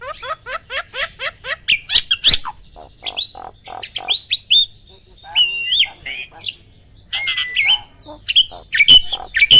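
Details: Competition starling kept in captivity, singing a very loud, rich medley: a run of repeated rising chips, then buzzy rattles, looping warbled whistles and sharp high notes in quick succession.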